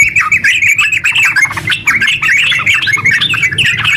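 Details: Yellow-vented bulbul in a long, rapid, nonstop song meant to prompt other bulbuls to sing. Dense bubbly chattering phrases, quick rising and falling notes packed without pause, faint low hum beneath.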